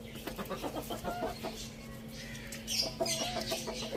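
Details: A rooster and hen feed on spinach at a village farm, giving rapid low clucks in a stuttering series at first, then quieter, while bright chirping from other birds rises behind them.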